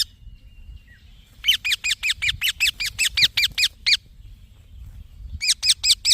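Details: Young green parrot delivering a long, steady string of about fourteen buzzy, high chirps, then after a brief pause another run of four.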